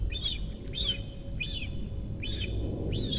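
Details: Cinereous vulture fledgling, a month after its first flight, in its nest near Rascafría in Sierra de Guadarrama National Park, begging as it spots a parent overhead. It gives sharp, arched squeaky notes about every 0.6 seconds over a deep wind-like rumble.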